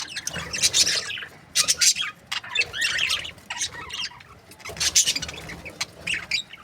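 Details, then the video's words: Budgerigars kept in breeding pairs give clustered bursts of scratchy high chirps and warbles separated by quieter spells of soft chatter. "Amazing budgie chirping sound | breeding pairs"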